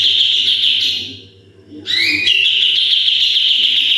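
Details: Sooty-headed bulbul, energetic 'tembakan' song used as a tutor for other birds: a fast high trill, a brief silence, then a few climbing whistled notes that launch a steady rapid trill.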